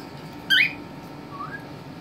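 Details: Young albino cockatiel, three and a half months old, kept with an older ten-year-old cockatiel indoors; one sharp rising whistled chirp, then a faint softer rising whistle about a second later.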